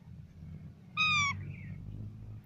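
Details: Parrot's natural voice: a short, bright, meow-like note of about a third of a second, gently falling, followed by a faint brief squeak, with low rumbling background noise.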